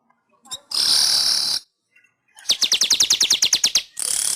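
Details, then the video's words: Weaver singing on an Indonesian master recording for training caged birds: a sizzling hiss, a short pause, about a dozen bright, rapidly repeated high notes, then another hissing wheeze. "Masteran Suara Burung Manyar"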